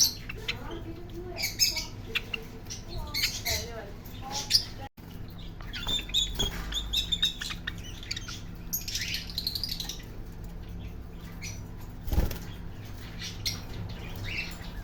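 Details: Parrot giving a run of short chirps, scratchy squawks and raspy notes, some in quick bursts, with brief pauses between; a low steady hum and faint background noise run underneath.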